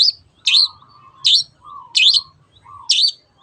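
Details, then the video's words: Long-tailed shrike singing 'teot teot' as a lure for other birds: a harsh, rising two-part note repeated roughly every 0.7 seconds, each followed by a softer, lower, drawn-out tone. "SUARA BURUNG CENDET TEOT TEOT pancingan AGAR BURUNG MANAPUN IKUT GACOR"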